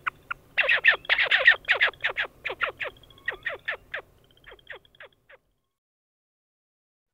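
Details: A horned grebe gives a rapid run of harsh, squealing nasal calls that slow and fade over about five seconds, and a narrator's voice starts at the end.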